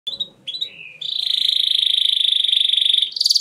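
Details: Atlantic canary singing a rolling lure song meant to draw replies from other canaries: brief high chirps, then a long, even, rapid trill held for about two seconds, ending in a brighter buzzy burst.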